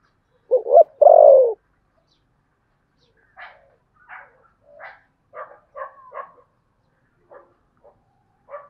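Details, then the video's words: Spotted dove contest cooing, Sấm Thổ style: one phrase of two short notes and a long falling coo, followed by a series of short, sharp chirps from another bird. "tiếng cu gáy thổ sấm/ chim cu gáy gù đấu và thúc bài bản giọng Sấm Thổ"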